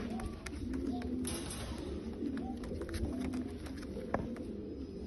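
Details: Bulgarian pigeons cooing in soft, low, wavering phrases, with more than one bird calling, plus scattered clicks and a sharp tap near the end.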